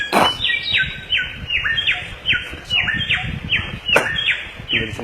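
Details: Samyong song of rapid, descending whistled phrases repeated roughly every third of a second, with faint low rumbling and some sharp clicks in the background.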